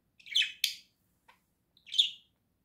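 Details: Two pet budgerigars in a home cage, November 2024: two loud buzzy chirps close together, a tiny click, then a rising squeaky chirp.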